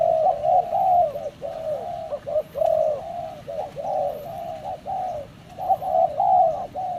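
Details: Spotted dove giving a run of soft, hollow, mellow coos, each slightly slurred downward, strung closely together in a steady rhythm with brief pauses, with faint background hiss.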